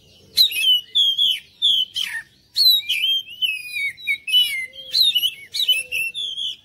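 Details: Oriental magpie-robin singing as a lure to draw responses from other birds: clear whistled phrases with sweeping slurs and harsh scratchy notes mixed in, loud and steady across the clip.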